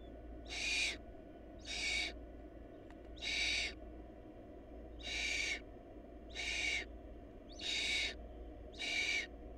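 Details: Seven noisy, breathy screeches from barn owl nestlings in a food-short nest, repeated about every 1.2 seconds with a steady rhythm. A faint low hum runs beneath.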